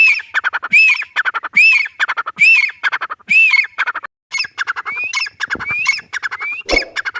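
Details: Grey francolin calling: loud, harsh, squawky phrases of rapid clipped notes, each capped by a ringing arched note, repeated about every three-quarters of a second with a short pause midway.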